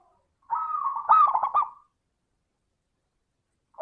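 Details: Lure song of a crystal-voiced zebra dove: one sustained trilled coo that breaks into quick rolling, bubbling notes, followed by silence.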